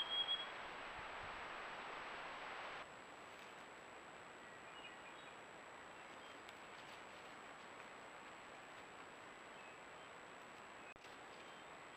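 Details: Steady broadband hiss with a faint constant high electronic whine and no clear animal calls.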